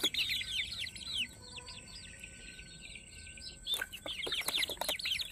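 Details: Farm-raised Peruvidai chicken chicks give strings of bright, downward-sliding peeps, loud at first, easing off midway, then rising again after a sharp knock, with a steady thin high hum throughout.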